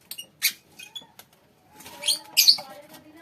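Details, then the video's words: Lovebird colony calling: short piercing chirps early on, a brief lull, then a denser cluster of harsh, high screeches toward the end. "lovebirds colony"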